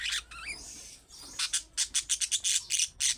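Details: Budgerigar calls in the calling style of young birds, used to make pet budgerigars answer: a few squawks and a rising whistle, then a fast run of bright, sharp chirps about four per second, each burst short and harsh.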